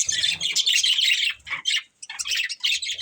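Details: Pet budgerigars of one family chattering in a dense, rapid stream of high, scratchy chirps that breaks off briefly near the middle, then resumes.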